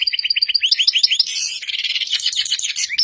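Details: Black-headed goldfinch singing: quick repeated tinkling notes at the start, then a string of short rising chirps running into a dense, bright, twittering warble with buzzy high passages, continuous and fast.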